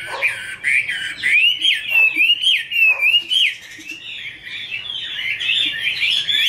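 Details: Caged female Chinese hwamei singing, a male in the background: continuous rich whistled warbling, rapidly modulated slurred notes rising and falling, with a few lower downward-swept notes early on and faint high twitters above.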